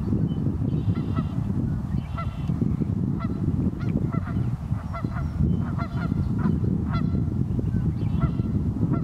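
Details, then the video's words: A flock of geese on a very cold morning on North Idaho's Pend O'Reille River: repeated nasal honks, some in quick pairs and clusters, steady throughout, over a heavy low rumble of moving water. "The Song of the Geese II"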